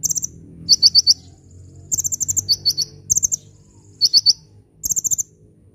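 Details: Sunbird in energetic song, meant for luring birds and getting lazy birds singing: quick bursts of four high, ringing notes, alternating between higher and slightly lower groups, over low background hum.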